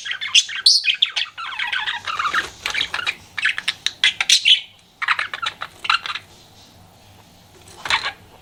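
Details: Pet budgerigar chirping while flirting: dense scratchy chatter and squeaky warbled notes in quick bursts, broken by short pauses, fading to quiet with one last chirp near the end.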